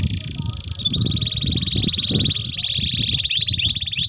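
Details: Canary in an energetic long rolling song, meant as a lure and as a tutor for young canaries: a sustained high trill with fast repeated notes, rising and falling slightly, over low background rumble.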